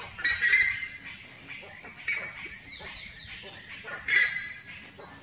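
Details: Buff-necked ibis young in the nest, begging with thin, high squealing calls that often slur downward and come in overlapping bursts, loudest near the start and end.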